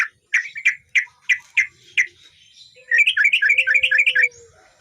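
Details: Male yellow-vented bulbul, energetic gacor song for training birds: seven clipped chirps spaced evenly, then a quick rolling run of twelve warbled notes, with a faint steady whistle in the background.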